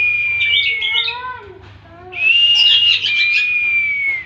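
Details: Oriental magpie-robin (kacer) pouring out a loud, varied song: sustained whistles drifting downward mixed with fast twittering trills and a series of lower descending notes.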